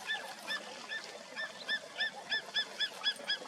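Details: Greater spotted eagle calling: a series of short, yelping notes, each a brief rising-falling bark, repeated about four times a second against a background hiss.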